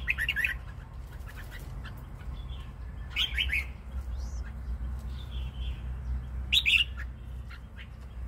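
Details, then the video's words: Red-whiskered bulbul with a 'good voice': brief bright chirpy phrases, mid-to-high pitched with quick up-and-down notes, given about every three seconds, with sharp clicks and a steady low hum underneath. "Chào mào giọng hay"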